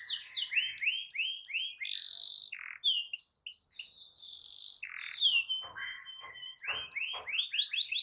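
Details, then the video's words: Domestic canary song used to coax a silent canary into singing: loud, varied phrases of rapid rising chirps, buzzy held notes and clear whistles, with repeated note series and harsh rolled segments. "Terapi Ampuh Burung Kenari Macet Dijamin Langsung Ikut Bunyi II Masteran Suara Burung Kenari Gacor"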